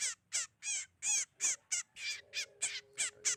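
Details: Trapping lure of the sogon bird: harsh, scratchy chatter notes repeated quickly, around eleven bursts in three seconds, some longer and buzzier, with a faint steady low hum in the second half.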